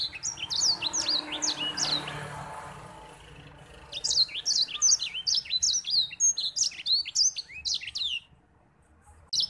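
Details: Lively white-rumped seedeater song recorded for training other birds: high trills and sweeping whistles, a quieter hissy stretch, then a long, fast series of sharp, repeated descending notes, roughly three per second, before falling silent.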